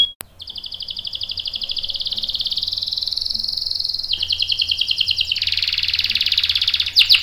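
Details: Canary in full roll, sung to spur other canaries to respond: a long smooth high trill drops to a lower rolling phrase, then speeds into a buzzier run and finishes with sharp clicks.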